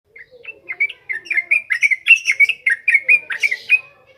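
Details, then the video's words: Yellow-vented bulbul singing a ngropel ngalas style song, used as a lure for training birds: a lively run of short, bright, chirpy whistled notes, about two per second, steadily building and then fading. "SUARA BURUNG TRUCUKAN NGROPEL NGALAS"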